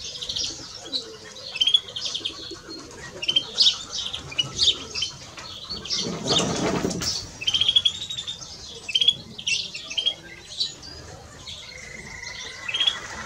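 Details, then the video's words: Male and female European greenfinches give scattered twittering chirps and short trills. A loud burst of wing flapping breaks in midway, then the chirping phrases resume. A thin, steady whistle appears near the end. "Male and Female of Greenfinch - Cantec de Florinte"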